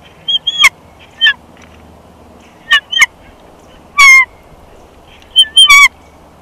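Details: Nesting bald eagle pair in Big Bear Valley, caught by a nest camera on 1 March 2021 during a switch at the nest; scattered short, harmonic, slightly downslurred squeals, with one longer, louder call in the middle.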